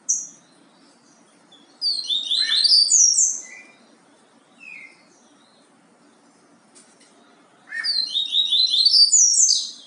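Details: Yellow-bellied seedeater in the Bahia song style, repeating a long phrase of rapid, descending high twittering trills opened by a lower slurred note, with short scattered notes in between phrases, quiet background.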